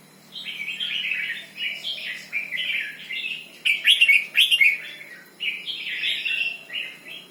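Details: Red-whiskered bulbul singing in the doubled 'berl' style: bright warbled phrases of quick rising and falling notes, a louder sharper burst in the middle, then more fluid chortling after a brief pause.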